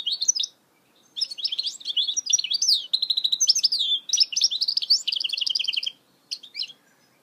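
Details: Goldfinch hybrid (mule) delivering a long, loud, continuous warble of buzzy trills, rising whistles and rapid repeated notes, pausing briefly before two final chirps, with no other sounds.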